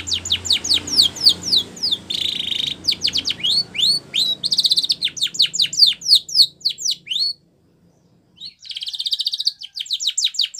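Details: Training song of a canary: brisk runs of sweeping notes broken by buzzy trills, a brief silent gap, then a resumed rolling trill with quick strokes.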